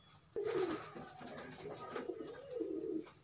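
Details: A short sequence of soft, low pigeon coos, rising and dipping, from loose birds pairing up; a sharp onset opens a quick run of warbling phrases.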